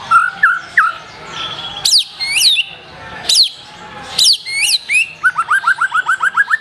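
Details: Black-tailed white-rumped shama singing boldly: low fluted whistles, loud sweeping high notes arching down, then a rapid rattling burst of about a dozen quick ascending notes at the end.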